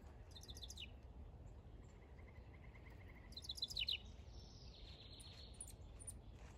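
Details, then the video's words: House wren in a backyard, the male busy building a nest: scattered high chirps, then a fast bubbly burst of descending notes and a short buzzy high trill, over steady low background rumble. "House Wrens Move In | ASMR Birdsong"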